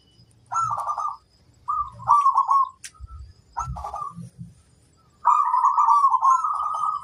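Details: A local zebra dove, said to have a big voice, sings a series of bubbling, trilled coos in short bursts, closing with a long sustained rolling phrase; a low rumble sits underneath.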